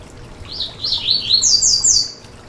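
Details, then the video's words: Yellow-bellied seedeater (coleiro baiano) song, used to warm up and stimulate captive birds: a quick run of six or seven high, sweeping notes, the later ones climbing higher and brighter, over a faint background hiss. "Canto para foguear e esquentar seu COLEIRO BAIANO"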